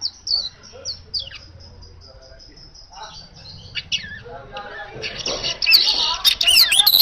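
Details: Asian golden weaver in energetic natural song, played to lure kacer birds into singing; soft high whistled notes, then a rising burst of dense buzzy, wheezy chatter over the last two seconds.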